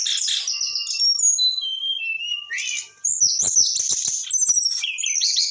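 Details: Young Brown-chested Jungle Flycatcher, eight months old, singing a fast, varied song of high whistles, descending slurs and buzzy trills, with a brief pause mid-phrase before dense chattering notes resume.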